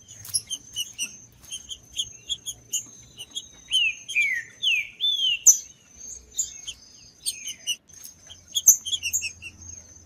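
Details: Green-winged saltator, a trinca-ferro, singing to warm up a cold caged bird for tournaments: repeated short high chirps with loud descending slurred whistled phrases in the middle, over a steady high hiss.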